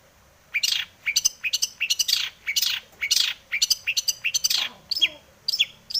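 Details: Long-tailed shrike, said to be in breeding condition, pouring out a varied song to coax other shrikes into song; clusters of quick high notes and harsh downward sweeps in uneven bursts after a brief silence.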